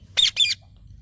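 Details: An Indian parrot gives two harsh, squawking notes in quick succession, each about a fifth of a second long, with a faint low hum behind.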